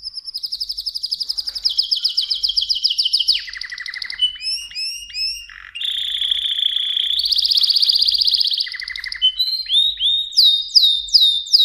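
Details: Mosaic canary delivering a long, varied song: rapid trills, clusters of looping whistled notes, a buzzy rolling phrase, and fast repeated downward sweeps, with phrases changing every second or two.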